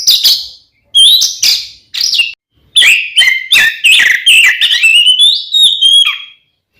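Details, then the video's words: Provocative fighting song of an Oriental magpie-robin, aimed at making other magpie-robins aggressive: piercing sweet whistles alternating with harsh chattering notes, building into a fast varied run that ends in a falling whistle. "SUARA BURUNG kacer gacor NGEPLONG TARUNG ini paling AMPUH buat PANCINGAN KACER agar EMOSI"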